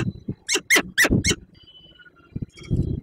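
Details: Peregrine falcon (Falco peregrinus) at ENGIE EC, Słupsk, on 5 April 2022, after leaving prey at the site, gives four harsh, rasping notes in quick succession over a low rumble, followed by faint thin whistles from another bird.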